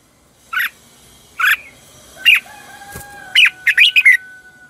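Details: Chào mào (red-whiskered bulbul) decoy song for training birds and drawing in wild ones: widely spaced single sharp chirps, then a quick cluster of four bright slurred notes near the end, over a quiet steady hum.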